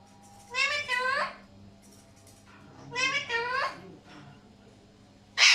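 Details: Alexandrine parakeets uttering two bursts of rich, buzzy, stacked calls that fall in pitch, separated by quiet low hum, ending with a sudden harsh noise.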